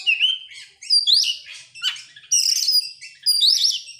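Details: Song of an oriental magpie-robin played as a lure for other birds: varied whistles, one clear drawn-out note, then harsher buzzy bursts and rising sweeps in separate phrases, nothing else audible.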